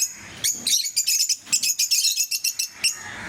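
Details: Pet lovebirds of various mutations giving a rapid series of sharp, high-pitched chirps, about a dozen clipped notes in quick succession after a brief opening pause, over a low indoor hum.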